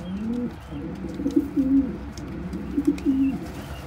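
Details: Kept pigeons while an adult feeds crop milk to a tiny, helpless squab that gulps it down; low, soft cooing notes with short gliding phrases, loudest near the middle and again toward the end.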